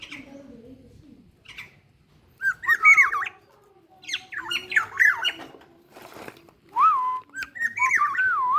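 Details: Black-naped oriole of the local Ijen, Bondowoso type in the morning, giving clear fluty whistles that slur up and down, in three separate phrases mixed with brief rasping notes, over a low background hum.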